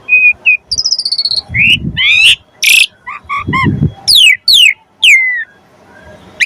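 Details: Asian pied starling gacor song with isian phrases, aimed at getting birds to sing; level whistles, a fast rattle, swooping notes and loud harsh bursts with some low background rumble.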